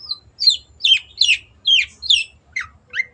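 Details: Long-tailed shrike (cendet) in full, clear song: a string of scratchy, downslurred high notes, roughly two per second, each shaped a little differently, against a quiet background.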